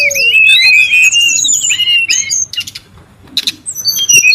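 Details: Brown-chested jungle flycatcher, locally sikatan rimba dada coklat, calling noisily in the wild: high whistled phrases sliding and wavering, with a lower falling whistle at the start, then a brief pause before sharp chips return.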